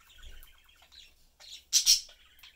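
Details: Pet budgerigars, a family of parents and young, chattering and eating; soft warbled chatter followed by two loud harsh chirps near the end.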